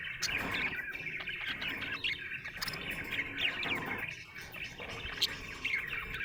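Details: Cheerful budgie warble: rapid, varied chirps, clicks and sharp squeaks in a busy unbroken chatter.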